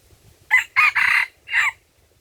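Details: Red junglefowl crowing at Lamteuba, Aceh, during decoy trapping: a clipped, hoarse crow of four syllables, a sharp opening note, two drawn-out middle notes and a falling final note, over faint low background rumble.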